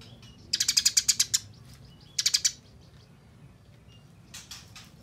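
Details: Eurasian tree sparrow (Passer montanus) gives harsh, rapid chattering bursts while fighting, aggression: a run of about nine quick notes, a shorter burst of four, then a faint trailing rattle.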